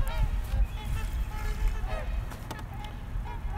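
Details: Several trumpeter swans on the upper Mississippi River on a freezing winter day, water near 40°F, give overlapping horn-like, nasal honks every half second or so, over a steady low rumble of wind and water.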